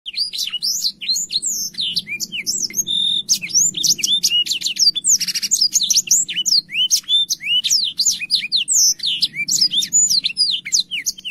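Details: Black-throated canary in full, lively song, recorded as a tutor song for young canaries: a rapid, unbroken stream of high whistled slurs, sharp chirps and brief buzzy trills, with a faint low hum underneath.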